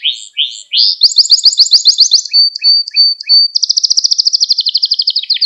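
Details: Canary song prepared as a lesson for young canaries, with fast chattering notes, a steady pure whistle, then a rapid buzzy trill repeated about four times per second.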